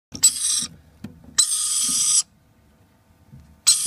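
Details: Two hand-raised lorikeets give harsh, grating screeches in three bursts, one short, one drawn out for almost a second, and one cut off at the end, with quiet gaps between.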